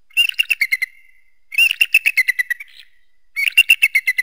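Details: Eagle calling in three quick series of sharp, high piping notes, each run about a second long and falling slightly in pitch, separated by brief gaps.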